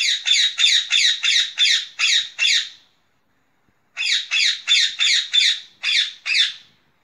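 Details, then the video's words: Harsh, piercing screeches from a green rose-ringed parakeet. About eight come in quick succession, then after a short silence a second series of seven follows. No other sounds. "صوت ببغاء الدرة الخضراء Durra's green parrot"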